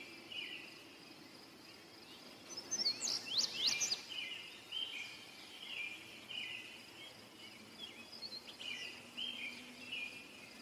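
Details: Indigo bunting song: a bright cluster of quick, high, slurred notes bursting out, followed by softer chirps, all against a constant background hum of insects.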